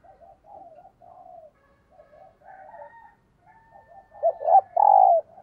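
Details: Cooing from a spotted dove decoy calling wild doves in the morning: a string of soft low coos, then a loud burst of clipped notes and a long, strong droning coo at the end.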